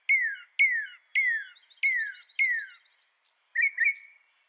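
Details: Northern mockingbird song made of clear downslurred whistles repeated five times at about half-second intervals, followed by a different pair of short warbled notes.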